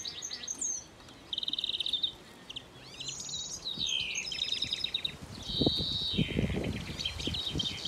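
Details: Baby greenfinch being caught; busy twittering with buzzy trilled phrases and quick downslurred notes, several overlapping, followed by loud rustling and handling noise.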